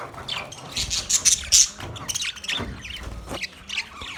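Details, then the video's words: Caged budgerigars chatter in quick, high, scratchy chirps, with a few piercing squeaks early and irregular chattering afterwards. "Beautiful Budgies sound Budgie chirping sound in master Cage"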